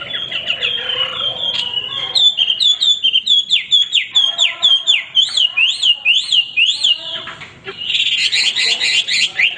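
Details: Hwamei male singing without pause: fluid whistled phrases give way to a run of repeated upslurred and downslurred notes, about two per second, then a buzzy harsh passage.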